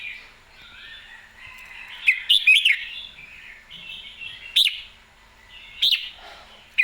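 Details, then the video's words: Excited red-whiskered bulbul singing clear song: soft warbling gives way to a burst of bright whistled notes, then single sharp whistles every second or so over a murmur of distant birds. "นกกรงหัวจุก ร้องชัดจัดเต็ม"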